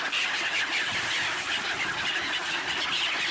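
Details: Winter flock of black-headed gulls at a swan refuge in Ibaraki Prefecture, Japan, 28 December 2017, jostling for bread. Shrill, high, overlapping squeals and squawks pour out continuously from many birds at once.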